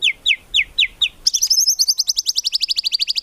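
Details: Murai batu (White-rumped shama) singing hard, with rich 'tembakan' filler phrases and no 'ngukluk' notes, for tutoring cage birds. Five high downslurred whistles, then a sudden, very fast shrill trill of sharp repeated notes.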